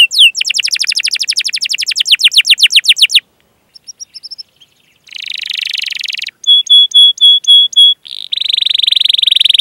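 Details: Canary song with cuit-cuit calls, used to teach young canaries to sing: a fast run of descending chips, a short pause with faint notes, a buzzy trill, a series of clipped level notes, and a dense rolling trill.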